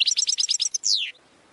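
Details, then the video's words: Brief goldfinch training song fragment: a fast series of repeated high chirps, about eight in under a second, closing with one downward-slurred buzzy note. "90 Minutes of Goldfinch Singing"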